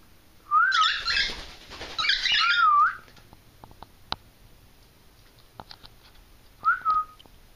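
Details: Two pet cockatiels in Maine, greeted by their owner: loud warbled whistled calls, each starting on a rising-falling whistle and turning harsh and screechy, two long bursts followed by a short whistle, with faint clicks between.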